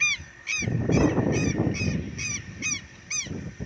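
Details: Agitated southern lapwing at a rural smallholding, apparently defending a nest close by: harsh, strident notes repeated roughly twice a second, while a man speaks calmly over them in Portuguese.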